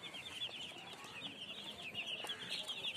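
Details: Baby chickens cheeping in a busy group, high, slightly descending peeps tumbling over one another without pause, fairly soft overall.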